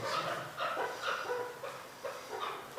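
Chukar giving harsh, clucking notes repeated about twice a second in a steady, rhythmic series, with no other clear sounds.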